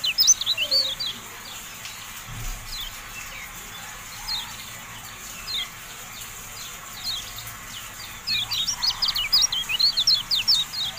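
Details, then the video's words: Javan white-eye from a cage-bird tutoring recording: a short high twittering burst, long quiet stretch with scattered faint chirps, then a livelier chattering run at the end. "MASTERAN TERBARU KECIAL KUNING"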